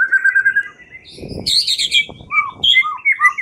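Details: Lure recording of a white-rumped shama for trapping: a steady whistled trill, a noisy rustling burst, then clear varied whistles and slurred notes.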